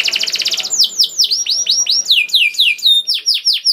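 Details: Canary song for luring caged canaries to sing: a very fast rolling trill gives way to a series of ringing, downward-curving whistles that grow quicker and overlap toward the end.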